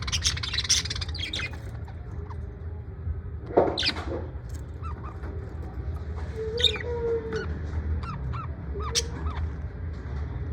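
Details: Parrot in good spirits, USA: sparse clicks and chirps, one loud rough squawk early on, then a short level whistle and a run of small sharp notes, with steady low hum.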